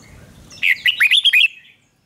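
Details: Red-whiskered bulbul duelling song used to train and excite other birds: one crisp phrase of five or six sharp, swooping whistles delivered in under a second, then silence.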